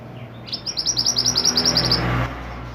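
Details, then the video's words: Pied bushchat, called mantenan, in full song for training other cage songbirds: a quick run of high, clipped chirps lasting about a second and a half over a steady low hum. "mantenan gacor burung masteran / chirping sound bird"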